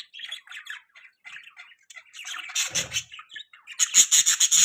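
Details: Budgerigar chatter: soft scratchy warbled notes at first, growing into loud, rapid, harsh buzzy chirps repeated several times a second toward the end.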